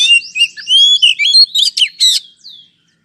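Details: Oriental magpie-robin song to provoke a response from a sluggish bird: a fast run of scratchy, slurred whistled notes and harsh chirps lasting about two seconds, then fading.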